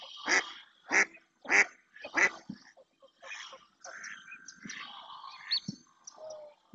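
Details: Female mallard in the Doñana National Park marshland, Spain, calling insistently; four strong rasping quacks open the recording, followed by quieter mixed duck chatter and squeaks.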